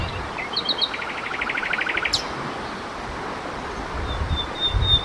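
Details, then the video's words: A common nightingale singing at night gives a fast rattling trill of about a dozen notes, then a sharp high upswept whistle, with a thin high note later and low rumbling background. "Slavík obecný, Common Nightingale, Nachtigall, zpěv ptáků, ptačí zpěv v noci"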